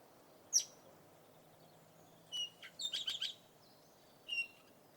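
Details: Red-rumped parakeet giving a single sharp, very high note. After a pause come a clear whistled note and a quick run of four clipped chirps, ending with one more short whistle. The background is quiet and steady.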